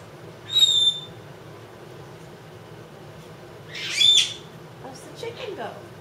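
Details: Pet two-year-old female Congo African grey parrot indoors, asked to mimic animal sounds; a clear level whistle, a loud broad squawk seconds later, then softer scratchy notes in a quiet room.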